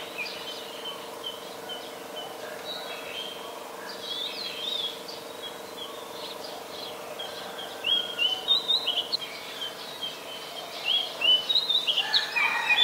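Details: Adult Chestnut-headed Bee-eater recorded with a Nikon P1000 in Ubon Ratchathani, Thailand, 13 February 2021: after a long stretch of faint background noise, bursts of quick, sharp chirps arrive in clusters toward the end.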